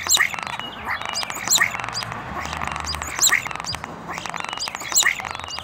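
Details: Starling courtship singing very close, Zoom recorder: sharp high whistles and clicks repeat roughly every second and a half, over steady grating, rattly chatter.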